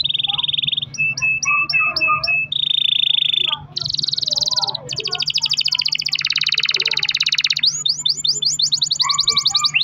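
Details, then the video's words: Long-rolling canary song meant to stimulate other canaries to sing: a chain of distinct tours, with steady whistled rolls, clipped repeated notes, buzzy high trills and a closing series of quick upward-swept notes. "kenari gacor ROL PANJANG buat pancingan kenari agar bunyi jadikan burung kenari gacor"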